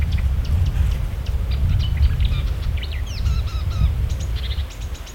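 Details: Mimicking marsh warbler delivering a jumbled run of sharp ticks, quick slurred whistles and short buzzy notes, with a few downward-sweeping notes midway, against a steady deep background rumble.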